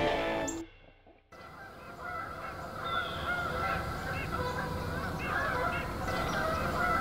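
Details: On the morning of October 5 near Freeport in northern Illinois, a flock of migrating geese gives short, nasal honks, several a second, over a steady wind-like hiss, after a moment of guitar music at the start.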